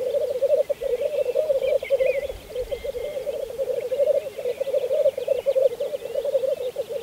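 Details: Black grouse males lekking in spring 2014 on Saaremaa, Estonia, pour out a steady murmuring, gurgling coo that swells and dips in pulses, with faint bird twitters and a brief low thump.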